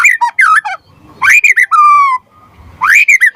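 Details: Loud white-rumped shama phrases, used to provoke singing in other shamas and as a song tutor: clear rising whistles, a long level descending whistle and quick chirping notes, in well-spaced phrases.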